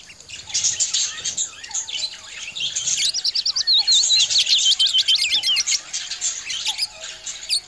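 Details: Pet budgerigars kept together chatter in a fast, high warble of chirps, trills and squeaky twitters, getting denser and louder midway, with almost no low sound underneath.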